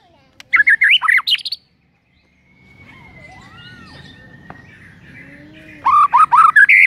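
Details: White-rumped shama morning lure: a short phrase of rapid whistled notes, a quiet stretch with faint gliding tones and background hiss, then another quick run of bright, tumbling notes.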